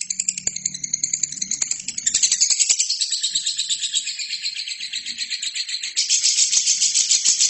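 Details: Lovebird song recorded for training other birds: rapid, shrill chattering pulses that thicken into a loud continuous buzzy trill, then brighten again toward the end, over a faint low drone at first.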